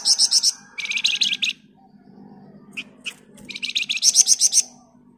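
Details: Flamboyan bird singing in a dense 'ngebren' style, used as a master recording to train other birds: bursts of fast, bright chattering trills, one a sharp rising sequence, separated by short pauses and a few isolated chips.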